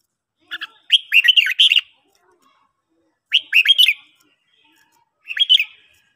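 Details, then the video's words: Red-whiskered bulbul being trained to sing in the morning gives three bright, rapid warbling phrases, each about a second long, with short silences between them. "luyện chào mào hót buổi sáng"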